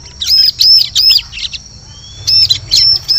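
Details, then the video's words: Bar-winged prinia lure call for forest trapping: a fast series of high, ringing, looped notes, a one-second gap with a thin rising tone, then another quick burst of piercing notes. "Suara Pikat Burung Ciblek"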